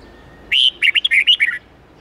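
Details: Red-whiskered bulbul song in a wild forest style, used for training young birds to learn the song: one short burst of clear warbled whistles, rising and falling, over a faint steady background hum.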